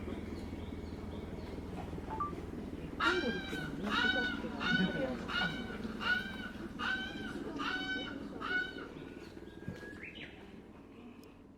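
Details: Captive lanner falcon at a bird park in Japan, calling affectionately on spotting its favourite keeper; a series of about eight sharp, harsh, evenly spaced cries, roughly one every 0.6 seconds, over a low background murmur.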